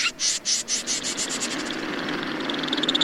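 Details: Snipe calling: a quick series of harsh, rasping notes, loudest at the start, running into a fainter, faster scratchy chatter toward the end.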